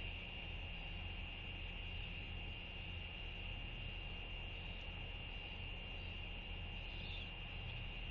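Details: Steady broadband hiss with a constant high electronic whine and low hum, unchanging throughout, with no animal sounds heard.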